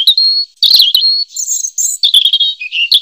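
A robin sings a varied run of clear, high whistled phrases, some thin and sustained, others warbled and rapidly changing, with brief pauses between.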